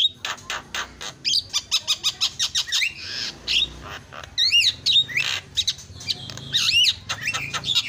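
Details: Javan myna song used as a lure to rouse mynas that have stopped singing into quick, agitated singing; harsh squawks and rapid clicks give way to varied whistled phrases, some wavering and upslurred, in a busy, chattering stream.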